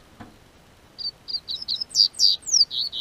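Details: Warm-weather song of a double-collared seedeater kept by a registered amateur breeder in southern Brazil: a quiet click, then short high whistles building into louder, ringing downslurred notes in quick succession.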